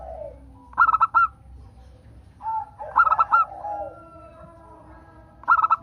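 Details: Local zebra dove song meant to prompt other doves to sing. Three bright stuttering bursts of rapid notes, separated by quieter, lower cooing slurs, against a steady low hum.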